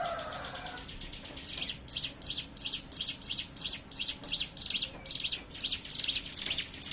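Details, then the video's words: Hill prinia song used as a lure to set other birds singing: after a quiet first second, sharp high chips repeat about twice a second, each a quick down-and-up stroke, with a brief lower whistle at the start. "pancingan ciblek gunung bahan ombyokan"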